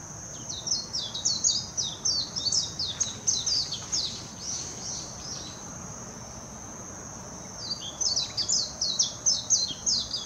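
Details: Warbling white-eye singing in the Kinokawa area at Hashimoto, Wakayama, Japan, late June 2021: two long bursts of fast, high, chattering warbles separated by a pause of a few seconds, over a continuous high-pitched insect-like hum.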